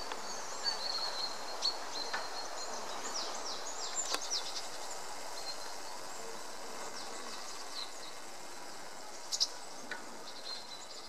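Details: Young White-backed Woodpeckers, captive-bred for release into the wild in Sweden, give thin, high, squeaky calls about twice a second, faint against steady outdoor hiss and a few clicks.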